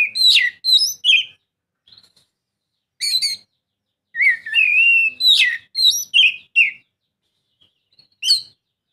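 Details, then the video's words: Lure song of an Oriental magpie-robin meant to prompt a silent bird to sing, with short bursts of clear high whistles and chirps, brief gaps, then a rich sequence of rising and falling whistled phrases ending on a single sharp note. "Kacer mana yang gak lasung bunyi dengar suara kacer ini"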